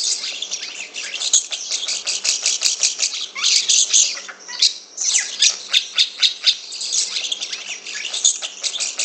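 Asian pied starling delivering a rambling, unbroken stream of harsh squawks, raspy chatters and short high whistles, loud and scratchy throughout.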